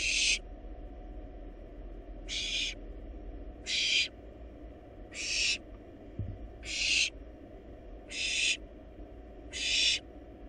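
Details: Harsh, breathy hisses from wild barn owl nestlings in a nest box as they devour a rabbit, seven bursts in ten seconds, spaced roughly every one and a half seconds, above a constant low background hum.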